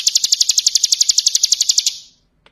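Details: Bar-winged prinia in ngebren style, a two-second burst of about twenty very high, sharp, evenly spaced ticking notes that trail off, followed by silence and one faint click.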